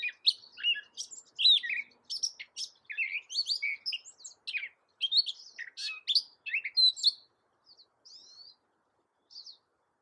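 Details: Gray catbird, a small American mimic of cat sounds, delivers a long, dense stream of jumbled chirps, squeaks and whistled slurs for seven seconds, ending with a few soft scattered notes.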